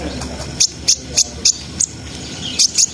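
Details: Brown-throated sunbird, sharp 'nembak' style song meant to raise breeding arousal; seven short, very high, piercing chip notes spaced about a third of a second apart, with a pause before the last pair.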